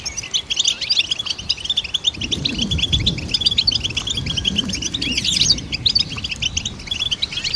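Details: Goldfinch singing, meant as training material for songbirds: a fast stream of bright twittering notes and liquid trills, unbroken throughout, with faint low rumbling underneath.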